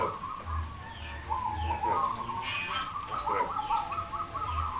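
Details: Zebra doves (local perkutut) at a singing contest held by a local perkutut community from Demak, Semarang: several overlapping trilled, rolling coo phrases around one pitch, repeated steadily, with low background rumble and faint crowd noise.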